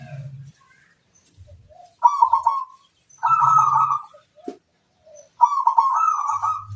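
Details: Singing zebra dove, a local bird used as a lure for wild birds: three rippling cooed trills about a second apart in spacing, with a short drop-off note between them and a low hum underneath.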